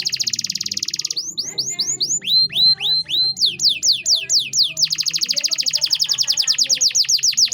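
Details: Canary master song, 'cengkok mewah' style, for teaching other cage birds: opens with a dense buzzy roll, moves into spaced whistled downslurs, then speeds into a rapid high trill.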